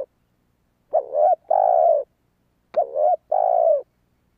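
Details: Spotted dove calling to draw in wild doves: two matching calls about 1.8 seconds apart, each a wavering short coo then a longer, level, softly falling croon, with a brief click between them.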